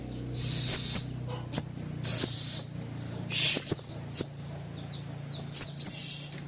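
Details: Kept olive-backed sunbird in strong form, giving a luring call meant to provoke a rival: harsh, hissing, very high bursts and sharp paired notes in irregular quick runs over a low background hum.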